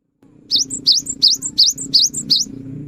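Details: Gacor cinereous tit, used as a singing lure for mute birds, gives six quick high double whistles in steady rhythm against a steady low drone in the background.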